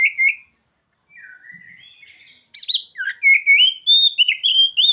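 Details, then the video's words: An Oriental magpie-robin sings with borrowed ciblek and sogon phrases: a brief loud whistle, a quiet gliding passage, then a rapid string of high chirps and rising whistled notes. "Kacer isian burung ciblek dan sogon"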